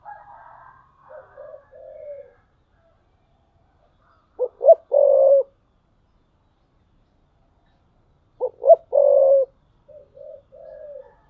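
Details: Spotted dove decoy bird cooing in a tree, repeating its phrase about every four seconds: two sharp short notes, a held low coo, then a few soft trailing coos, with faint chirps at the start.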